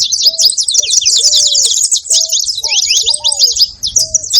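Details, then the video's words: Short burst of saffron finch noise: dense, sharp high chirping from many birds, punctuated by several lower, flat-topped whistles. "Canário da terra fazendo barulho"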